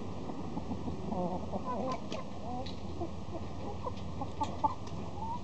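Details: Gold Wyandotte chicks from a 2020 hatch: many overlapping high thin peeps and chirps, some rising, in quick irregular bursts over a steady low hum.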